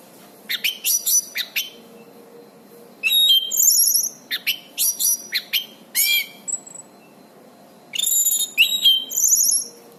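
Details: Orange-banded thrush song as master recording for bird training: repeated clusters of rapid buzzy chirps and whistled slurs, some phrases ending in high rising whistles, in bursts with brief gaps.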